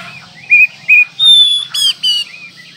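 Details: Oriental magpie-robin (kacer) song for tutoring birds, in the manjur style, for morning, midday and night: short clear whistled notes, some rising, then a long high steady whistle and a loud buzzy burst, with gaps between phrases.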